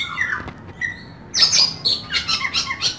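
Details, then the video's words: Oriental magpie-robin (kacer) singing vigorously in the 'isian kasar' style of rough filler notes: a falling whistle, then from midway a dense run of sharp, harsh high notes and squeaky slurs repeated about every quarter second. "Kacer Gacor Full Nembak Isian Kasar"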